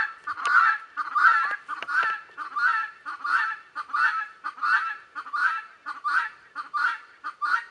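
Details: Guineafowl calling in the background, a harsh, buzzy two-part cry repeated steadily about every 0.7 seconds, each note grating and nasal, with a few sharp clicks early on and no other clear sounds.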